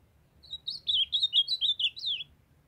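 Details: Young male ultramarine grosbeak singing while a female calls: a quick warbled phrase of about ten slurred, whistled notes rising and falling, lasting roughly two seconds, over a quiet background.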